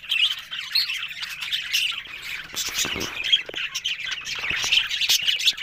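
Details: Several budgerigars described as talking, recorded October 1: a dense, continuous warbling chatter of squeaky chirps and scratchy notes, with brief louder squawks near the middle and end.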